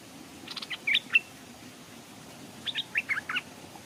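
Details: Stripe-throated bulbul decoy hung beside a stream, with wild birds arriving but not descending. A burst of clicks and bright whistled slurs, a pause, then a quicker run of several sharp chirping notes.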